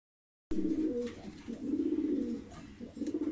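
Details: Blue barless Lahore pigeons, a breeding pair, give low, throaty rolling coos. The phrases are continuous, with short breaks between bursts, and the coos are the dominant sound over a quiet background.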